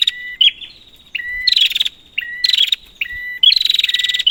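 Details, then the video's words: Lure calls of a prinia: short whistled notes followed by dense buzzy rattles, four phrases in quick succession, the last rattle the longest. "Prenjak, Pancingan ampuh untuk burung prenjak macet"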